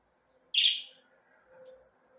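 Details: Budgerigars calling: one loud, sharp, high chirp, followed by a faint softer note and quiet background.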